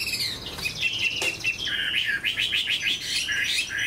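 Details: A large caged Chinese hwamei, praised for its good voice, gives a rich, varied run of whistled notes and rapid trills that slide between high and middle pitch, with a brief click partway through.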